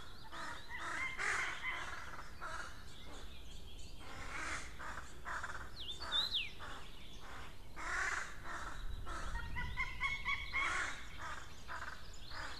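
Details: Crows, parents giving warning calls: harsh, repeated caws in bursts of several notes, broad and hoarse, coming every second or so through most of the recording, with a brief high whistled bird note in the background.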